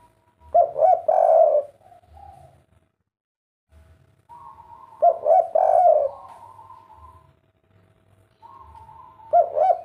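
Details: Three kuk 3 style phrases from a spotted dove, each a pair of short coos then a long mellow coo, separated by a faint steady higher tone and light clicks.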